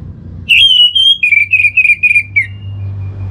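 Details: Orange-headed thrush song used as bait to get birds singing: one loud whistled phrase of about two seconds, a rising note followed by a run of slurred, slightly descending whistles, with a faint low hum behind.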